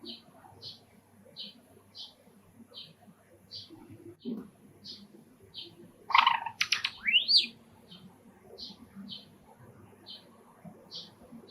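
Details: Pet Java sparrow indoors, excited by park sparrows heard through a screened balcony window; soft chirps repeated about every second, then a loud buzzy cluster with a rising whistle, chirping resuming afterward.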